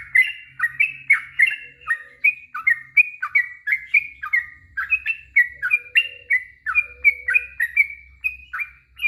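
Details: Long ropel-style song of a yellow-vented bulbul, played to prompt other bulbuls to answer: a continuous stream of liquid, bubbling two-part warbled notes, rapid and unbroken, with light low background hum.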